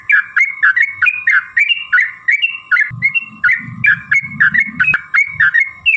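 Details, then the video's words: Sooty-headed bulbul singing as a lure for other bulbuls: bouncy, two-part warbled phrases, a drop then a rise, repeated rapidly, with a steady hum and some low rumbling midway. "trucukan gacor TARUNG ROPEL PANJANG pancingan trucukan agar bunyi jadikan burung trucuk gacor EMOSI"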